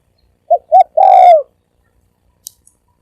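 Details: Spotted dove cooing once: two short low coos followed by a longer drawn-out falling coo.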